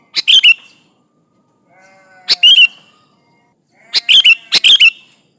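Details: Sooty-headed bulbul (kutilang) singing vigorously to call rivals, a recording meant as a lure: three loud, bubbly phrases of quick chirping notes with a falling slur, about two seconds apart, with faint steady tones in the background.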